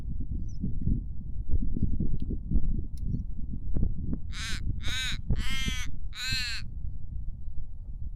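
A common raven gives four harsh, croaking caws in quick succession over a steady low rumble of wind.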